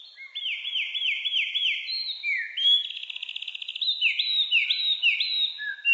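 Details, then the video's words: Wren singing a run of rapid, repeated rising slurred whistles, about four per second, shifting to a fast buzzy trill, then further rising phrases and a closing lower whistle; no other sounds. "wrens birds sound 🎶 wrens birds voice 🎶"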